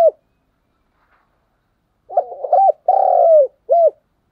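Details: Spotted dove used as a decoy bird, giving a strong, urgent coo phrase: a short note, a rapid stuttering run, a long rolling purr that slides down, then one final clipped coo, low and mellow, after a silent pause.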